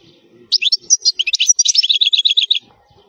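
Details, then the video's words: European goldfinch delivering khalwi-style wild song for training fledglings: about two seconds of quick, high liquid chirps that settle into an evenly repeated series of clipped twittering notes, with faint low sounds before and after. "الحسون الخلوي تغريد قوي صوت عالي خـــــــالي من الاخطاء"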